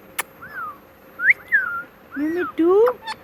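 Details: Pet talking parrot saying "Mitthu Mitthu": sliding whistled notes followed by two harmonic, voice-like syllables with rising inflection near the end.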